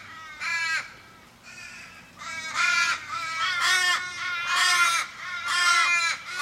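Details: Australian ravens around a dying flock member in a Sydney suburban street, 1 July 2012: distinct harsh caws with falling, drawn-out endings, about one per second, louder and closer toward the end.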